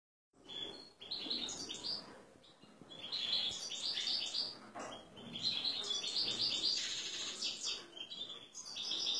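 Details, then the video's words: Excited male European goldfinch, ready to pair with a female canary, sings a fast, rambling twittering song of high, thin chirps and buzzy trills, in bursts with brief pauses and a short quiet gap at the start. "حسون هائج ناااار و جاهز 100% على انثى كناري"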